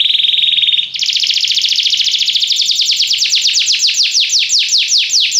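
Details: Belgian canary singing as a teacher for other canaries: a rapid buzzing trill gives way to a long run of quick, bright notes that become more sweeping and down-slurred as the phrase builds.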